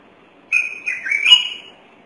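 A thick-knee gives one wailing, whistled note lasting just over a second, steady at first and then lifting slightly in pitch before fading. The background is quiet.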